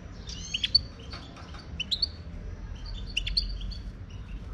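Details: Wild Moroccan European goldfinch singing: bursts of bright, high twittering and tinkling notes with sharp chirps, delivered in irregular phrases with short pauses, over faint low background rumble.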